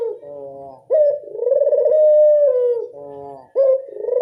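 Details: Barbary dove of local stock cooing, used to lure other doves: a long throaty purr with a pulsing texture, framed by short softer notes, and a fresh coo starting near the end.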